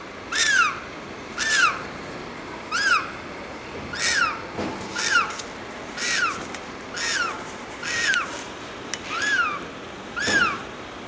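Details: A penguin chick pleads for food, crying out in sweet peeps. Its squealing notes arch up and down, repeating about once a second with uneven gaps, over constant low noise.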